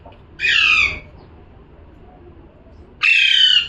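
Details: Two rasping parrot calls separated by a silent stretch of over two seconds, both harsh, broadband screeches of similar length.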